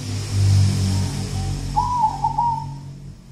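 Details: Zebra dove of local wild stock, song dubbed kuntilanak: a couple of faint soft notes, then a rolling, bubbling coo phrase of about a second, under a heavy low rumble and hum.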